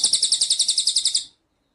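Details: A cililin bird singing energetically for a tutor recording: a single very high, shrill trill of about fifteen quick, even pulses lasting just over a second, then silence.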